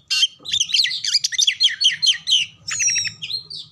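Oriental magpie-robin singing a rapid, varied run of sweet whistles and scratchy chattering notes, then a few clear piping whistles, with a faint low hum underneath.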